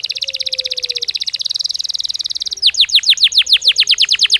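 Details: A Belgian canary sings naturally, starting with a fast buzzy high trill, then moving into evenly spaced, sharply descending chirps repeated several times a second.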